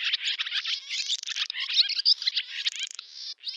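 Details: Barn swallow (Hirundo rustica) summer song, village of Zamoshye, Novgorod oblast, Russia, 8 August 2013: a fast, continuous twittering jumble of high chirps, buzzy trills and squeaky notes with scarcely a pause.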